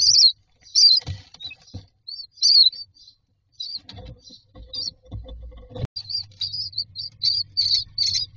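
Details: Young mynas in a nest box asking for food, giving short thin high chirps, sparse at first then quicker and steadier, with bumps, scratching and a low hum from the box.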